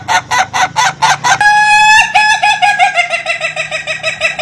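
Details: Rare Indonesian laughing chicken crowing: a rapid burst of loud clucking notes, then a long sustained crow that breaks into a fast, pulsing stutter of repeated notes, said to sound like laughter.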